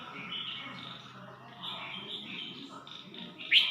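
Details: Red-whiskered bulbul at Suan Phueng, Ratchaburi, singing short warbled, bubbly phrases one after another over steady low background hum. A sharp, loud click-like burst comes at the very end.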